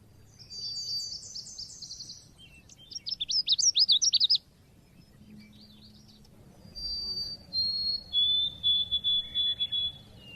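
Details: Oriental white-eye song in the cit keres style, used as a lure tutor recording: a rapid row of descending sweeps, a dense high twitter, then a long broken whistle of repeated thin notes.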